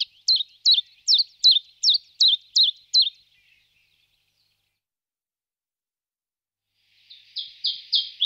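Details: Common chiffchaff song: eight high, clipped notes repeated about every half second in a steady monotonous series, then a long silence before a fresh run of similar notes begins, with no other sounds.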